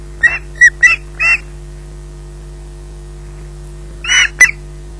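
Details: Between scattered squawks an osprey at Loch Garten potters while waiting for food; four brief shrill notes, a long quiet gap, then two more calls and a sharp tap.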